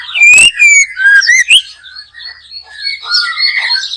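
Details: Backyard trapping session with a white-rumped shama singing: strong whistled downslurs and upslurs opening with a sharp click, then softer warbled phrases trailing off.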